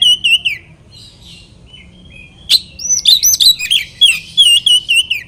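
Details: Oriental magpie-robin lure song used to provoke rival birds: an opening run of clear, slurred whistles, a brief lull, then a loud, rapid stream of varied warbling and sweet whistled notes, several phrases each second.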